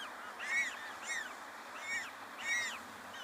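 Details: African penguin chicks calling from inside a nest at Penguin Beach, begging for food from the adult caring for them; arched, nasal, harmonic-rich cries repeated roughly every half to one second, four in a row.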